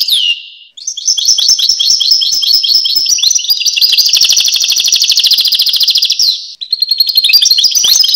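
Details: European goldfinch singing a continuous, fast twittering song of high, tinkling notes with a rapid buzzy trill in the middle, briefly pausing near the start and again before resuming the liquid chatter.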